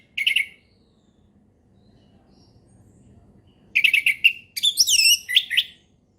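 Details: Orange-headed thrush singing ngeplong as a lure for young birds: a brief chirped phrase, a pause, then rapid stuttering notes and looping high whistles dropping in pitch.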